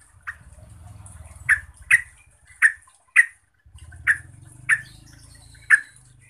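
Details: Yellow-vented bulbul (Pycnonotus goiavier) sounding to provoke other bulbuls into agitation: short, bubbly, clipped notes spaced irregularly about half a second to a second apart, with a faint low hum in the background.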